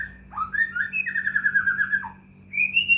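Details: Continuous White-rumped shama song meant as a lure for other shamas: sweeping whistled notes leading into a long fast warbling run, then a short pause and a final rising whistle, over faint electrical hum.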